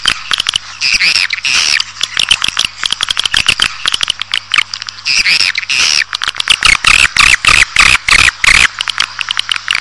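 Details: Swiftlet colony sound for drawing birds into a building: nearly nonstop rapid clicking chirps and buzzy twitters in thick overlapping waves, above a faint low hum.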